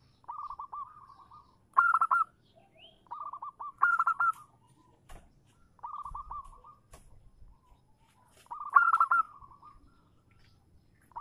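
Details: Zebra dove female calling a male, used as a lure to make males answer: loud short staccato coo bursts alternate with softer trilled phrases, several repeats spread across the recording.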